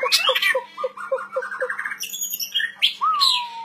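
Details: White-rumped shama in energetic 'gacor' song: a rising whistle, then a series of evenly spaced low piping notes, a quick climbing trill, harsh buzzy notes and a clear drawn-out whistle falling at the end.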